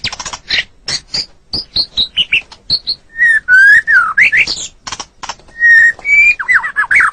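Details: Pet-bird tutoring recording of a white-rumped shama: high sharp chips giving way to sliding whistles and buzzy warbled notes, delivered in quick varied bursts.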